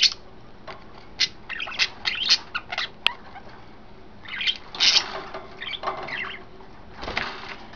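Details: Three pet budgerigars, yellow, green and white, relaxed in a new cage setup, recorded 26 May 2012, chattering in bursts of bright squeaky chirps and warbles, with a sharp click and quieter pauses between outbursts.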